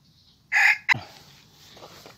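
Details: Red junglefowl cockerel, a young trapping decoy on its first training trip, starts a crow with one loud harsh note and a short second burst before it breaks off, leaving quiet rustling.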